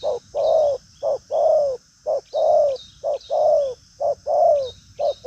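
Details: Spotted dove with busy behaviour, pushing out coos with a trailing tail: loud, regular short-long pairs, the long note gently falling, repeated about once a second, and faint insects behind.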